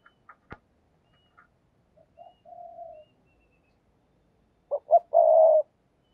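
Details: Decoy spotted dove calling: a few sharp clicks and taps, then a soft two-part coo, a pause, and a louder phrase of two short low hoots leading into a long, steady, even coo.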